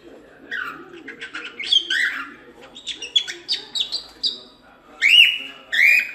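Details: Cockatiel warbling song of uneven chirps and short notes, ending in two louder, drawn-out rising whistles.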